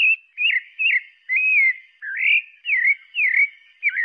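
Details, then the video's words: Clear fluting whistles from a singing pale-breasted thrush, short wavering phrases, some dipping then rising, given in a steady run of about eight in four seconds. "Sabiá Parda cantando"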